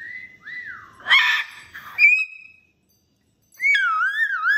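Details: Pet cockatoo at home, a happy male making what his owner calls scary noises: sliding whistles, a harsh burst in the middle, then a pause and a wavering whistled tone rising and falling.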